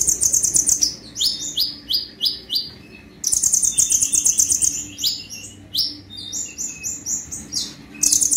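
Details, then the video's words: Olive-backed sunbird sings very high, sharp chips and rapid descending trills in energetic bursts, pausing briefly, then resuming, with nothing else prominent. "KONIN GACOR FULL TEMBAKAN"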